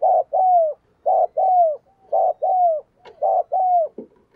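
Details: Decoy spotted dove in 'gù thúc bổi' cooing to rouse wild birds: four regular two-part coos, a short rough note then a long sliding one, about one per second, with a brief click and rustle.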